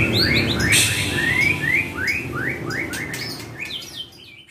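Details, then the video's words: White-rumped shama training song to draw replies from kept birds: quick series of rising whistled notes, about three per second, ending in higher chatter that fades out. "Trek Murai Batu"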